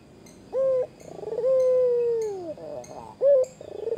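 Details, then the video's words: A white Barbary dove, singing eagerly to tease a rival, gives a short clipped coo, a rolling trill and a long steady coo that sags downward. Another clipped note follows, with faint high chirps in the background. "Burung puter Putih gacor Pandai menggoda lawan"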